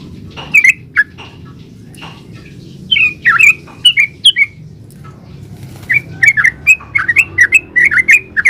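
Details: Yellow-vented bulbul in 'ropel' lure song: scattered whistled notes at first, a short burst near three seconds, a quiet gap, then a fast closing run of bubbly chirps rising and falling in pitch.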